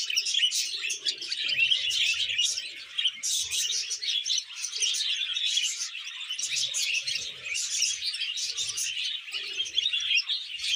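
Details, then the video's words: Pet male budgerigar courting a young female, pouring out a continuous fast warble of bright chirps, ticks and scratchy squeaks without pause, a few soft low thumps underneath. "Male Budgie Falls in Love with Young Female Budgie"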